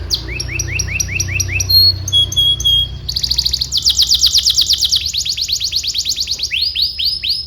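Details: Singing canary, a master recording for training young birds: a run of repeated upslurred chips, brief pure whistles, then fast rattling trills, ending in a series of rising sweeping notes.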